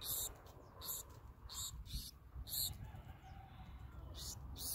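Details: Black-throated sparrows being hand-fed and feeding one another beak to beak; begging gives short, very high, hissy notes about every three-quarters of a second, over a steady low rumble of wind or handling noise.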